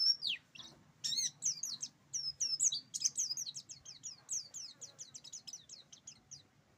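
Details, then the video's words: Buxtoni oriental white-eye in rolling, rapid-fire song: a fast stream of high, sharp chirps and downslurred whistles tumbling together without pause, fading slightly toward the end. "GA BAHAYA TA PLECI BUSTOMI ROLL TEMBAK"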